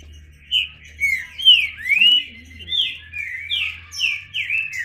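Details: Green-winged saltator delivering a string of loud rising and falling whistled notes, about two per second, with a faint low warbling sound beneath mid-way.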